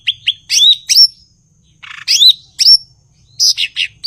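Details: Cucak ijo (blue-winged leafbird) singing vigorously: sharp high whistles, curling slurred notes and a brief harsh buzz, with a faint low rumble in the background.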